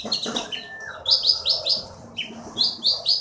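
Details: A caged champion konin from the Bangka forest repeats bright descending whistled notes in quick groups of three or four, with a brief lower whistle between the groups.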